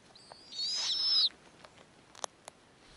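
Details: Snowy owl nest with young, the female receiving prey from the male: one strained, high-pitched rasping screech lasting under a second, then faint clicks and a quiet background.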